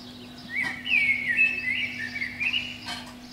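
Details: Spring dawn song of a Eurasian blackbird from a pine beneath a window; a continuous mellow fluting phrase, wavering and rolling, with slight squeaky flourishes and a couple of brief clicks over a low background hum.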